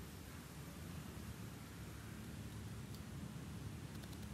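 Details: Even low hiss and rumble of outdoor noise, with only a few faint clicks and no animal voices.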